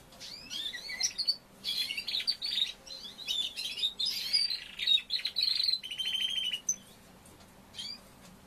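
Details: A young male Timbrado canary, newly through its moult, sings its developing song: dense bursts of twittering, buzzy notes and slurs for six seconds, ending in a short, fast, even trill, then a last faint chirp.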